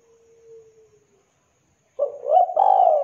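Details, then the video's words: Spotted dove (tekukur) calling repeatedly, in a mastered recording: a faint steady low tone fades away, then the dove gives a clear phrase of a quick note followed by a drawn-out, full-bodied coo. "DERKUKU TEKUKUR GACOR KUK 2 JERNIH SUARA TEBAL MEWAH"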